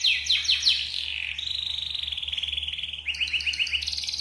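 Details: Yellow canary song, offered as a lure for teaching other birds to sing: four sharp falling notes, a smooth rolling trill sinking slightly in pitch, then quick bouncing notes and a high trill, over a constant low hum.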